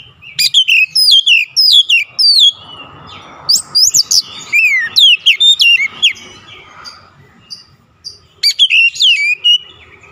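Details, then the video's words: Persistent song of an oriental magpie-robin showing off its repertoire, with fast strings of bright descending whistles and chirps, a steady faint hum underneath, and a quieter gap before a final burst. "KACER NGOTOT BONGKAR ISIAN"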